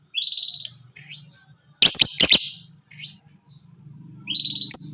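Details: Tame but fierce caged lovebird giving 'ngekek' chatter: short bright high-pitched whistled chirps, a burst of harsh rattling clicks in the middle, then more sharp chirps, with a faint low hum underneath.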